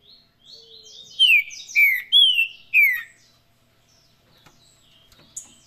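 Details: Trinca-ferro (green-winged saltator) performing its Paraná song: soft twittering leads into four loud whistled phrases, each dropping in pitch, spaced about half a second apart.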